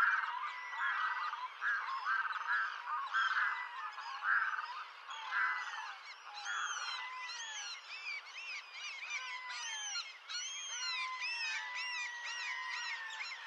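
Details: Red-throated diver uttering repeated harsh, nasal notes in a rolling series during the first half, followed by a jumble of higher, thin sweeping calls from other birds.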